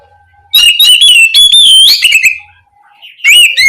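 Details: Kacer, the Oriental magpie-robin, calls to its companion in loud bright whistled phrases. Rapid warbling notes run unbroken for nearly two seconds, break off briefly, then a further burst of ringing whistles follows.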